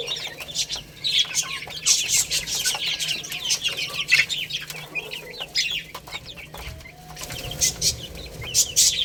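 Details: A group of baby chickens playing and eating: dense, shrill chirping from several chicks at once, short downward-sliding peeps in bursts, with pecking taps and rustles.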